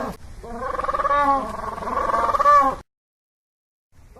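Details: Penguins screaming: a harsh, pulsed braying call with stacked harmonic bands, rapidly throbbing for about two and a half seconds with a brief upward squeal near the end, then silence.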